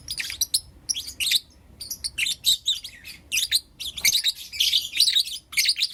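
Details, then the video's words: Blue Opaline and Lutino Opaline lovebirds chirping in the morning: dense bursts of harsh, high, scratchy chirps run almost continuously, with short gaps between clusters and a quiet low background. "Lovebird Chirping Sounds and Call Sounds From Blue Opaline & Lutino Opaline"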